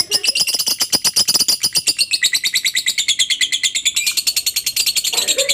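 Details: Fast, shrill ngekek chatter of a lovebird, a song played so other lovebirds copy it; dense buzzy high notes pour out rhythmically for over five seconds without a break.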